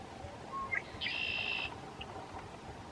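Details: Red-winged blackbird in reeds at Lake Arrowhead State Park, Clay County, Texas, March 2, 2017, giving one buzzy drawn-out trill preceded by a couple of brief clicking notes, against constant low rumbling noise.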